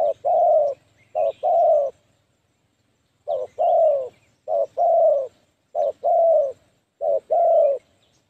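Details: Decoy spotted dove used for trapping wild doves, calling with soft, deep two-part coos: a clipped note then a longer descending croon. Phrases repeat in steady bursts with a brief pause midway, and a faint low hum sits underneath.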